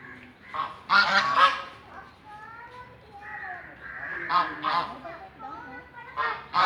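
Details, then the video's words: Ducks give loud, nasal honking quacks in irregular bursts, with some longer drawn-out calls sliding in pitch between them. "Duck Sound Effect"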